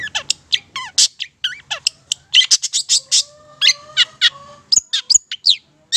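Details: Long-tailed Shrike, Madura variety, in a lively song for coaching other birds: a varied jumble of sharp chips, bent whistles and rasping notes, closely spaced, over a faint steady tone.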